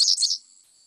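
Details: A singing dickcissel, a grassland bird of the Chicago area, gives a brief burst of high, dry, buzzy song notes, two or three quick harsh pulses that fade out within half a second.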